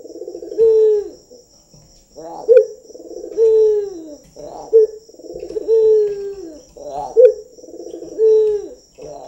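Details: Trained local Barbary dove, kept by a keeper, performing its cooing: low, mellow rolling coos, each with a short accented ending, repeated about every two and a half seconds in a steady series. The background is quiet apart from a faint high steady hum.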